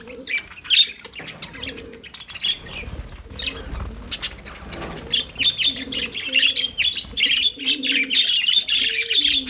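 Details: Lovebirds singing with continuous shrill twittering and harsh chirps that build in intensity toward the end, over soft low cooing phrases repeated about once a second and some wing flutter.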